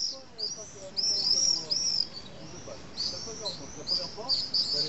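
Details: Shrill, drawn-out screams of common swifts at a colony in the drainage holes of a retaining wall near Nice, France, coming in bursts of about a second with brief quieter gaps.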